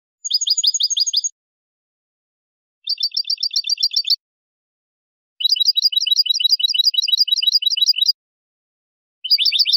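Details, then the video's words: Basic song of a European goldfinch, simple 'bibleo' type: rapid high chirps strung into four trilled phrases, the third running nearly three seconds, with pauses between phrases and no other sounds. "CANTOS BASICOS DEL JILGUERO ** BIBLEOS SIMPLES"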